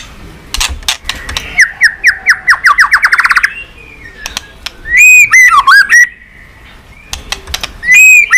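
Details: White-rumped shama singing in many voices, used as stimulation for training birds: a fast series of falling notes that speeds up, then loud ringing whistles that swoop down and up, separated by clicks.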